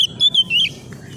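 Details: Oriental magpie-robin, a young newly kept bird provoked by a rival: a single brief phrase of clear, slurred whistles lasting about a second, with a low hum underneath.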